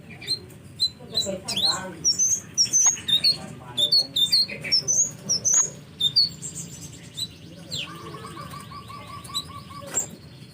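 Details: Sunbird giving rapid, thin, very high chirps and sharp twittering notes in quick bursts over the first six seconds, then falling quiet; a low steady hum runs throughout and a faint level tone appears near the end.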